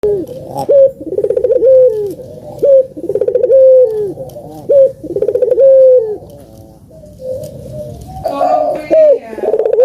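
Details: Puter doves cooing, a recording meant as a lure to get lazy doves to coo: repeated low coos, each rising then sliding down, about every second or two, with overlapping voices and a louder, rougher burst near the end.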